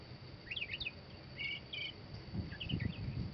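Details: Northern mockingbird singing: short, varied chirped and warbled phrases come in quick bursts, some of them double-noted, over a steady low rumble and faint background hiss.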